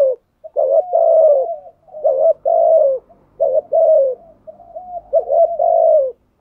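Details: Spotted dove cooing in the thúc gù style that agitates wild birds into calling back: long, low, slightly falling coos run together with short breaks, steady and loud, no other sounds.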